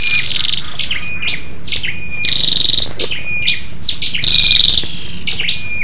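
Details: Female scarlet-backed flowerpecker calling to excite males: a busy run of high thin whistled chips and downslurs, broken by two buzzy pulsed rattles, the second louder.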